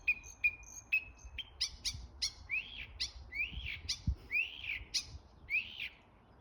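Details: A bird making different sounds: a few steady whistles, then a string of sharp, rising chirps repeated about every half second.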